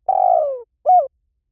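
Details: Spotted dove lure call meant to attract wild doves quickly: one drawn-out, slightly pulsing coo falling steadily in pitch, then a brief arched coo, with clean silence around them.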